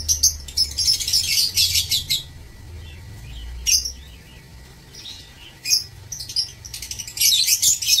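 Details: Aviary lovebirds on 16 March 2024 chattering loudly: long raspy bursts of shrill squeaks, a quieter spell with isolated chirps, then another dense noisy outburst, low background rumble throughout.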